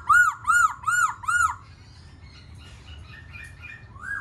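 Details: Black-throated laughingthrush singing and dancing: four loud, clear whistled notes, each arching up and down, repeated about every half second, then a softer run of varied short notes with faint background hum.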